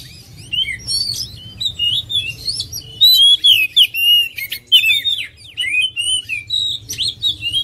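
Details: Oriental magpie-robin singing a rich, varied song of loud whistled phrases, slurred notes and sharp chirps, delivered in quick bursts that grow louder after the third second, with a faint low hum beneath.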